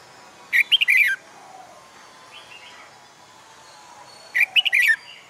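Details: A newly caged red-whiskered bulbul practicing fighting song gives two crisp phrases of jerky, whistled notes roughly four seconds apart, with quieter distant chirps between.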